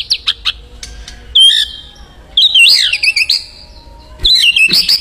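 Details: Wild white-rumped shama singing energetically in the wild: clear, high whistled phrases that slide and warble up and down, delivered in short bursts separated by brief pauses, with a few sharp chips at the start.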